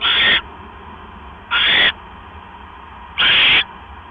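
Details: At an owl nest on October 12, 2015, 9:40 PM, as a mouse is delivered; three loud, harsh hissing screeches, each under half a second, separated by gaps of about one and a half seconds, faint hum behind.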